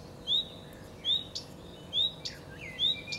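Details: A common redstart sings four times, each phrase a pure rising whistle ending in a quick downslurred twitter, spaced under a second apart, low hum beneath.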